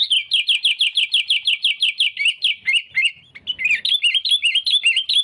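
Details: Sooty-headed bulbul, singing to lure rivals for trapping, opens with a fast run of about fifteen identical sharp chirps, then breaks into looping, bubbling warbled phrases.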